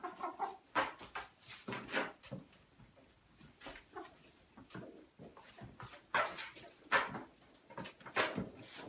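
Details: Domestic chickens indoors, allowed back into the house after being locked out for a few hours during spring cleaning; short, sharp clucks come in irregular bursts, some loud and close, with quieter murmurs and tapping between them.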